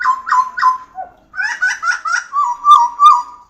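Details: Pied butcherbird: three short whistles, a low dipping note, a cluster of busier warbled notes, then a sustained, gently wavering whistled tone.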